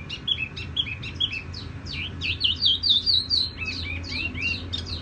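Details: Soft, ringing tiểu mi song. It opens with paired whistled notes, then runs into a lively stream of high slurred and twittering notes that rise and fall quickly.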